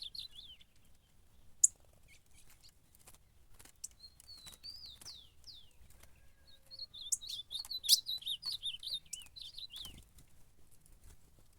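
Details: Ultramarine grosbeak fighting in a contest: scattered falling whistles, then a later burst of dense warbled notes, with frequent clicks and taps throughout.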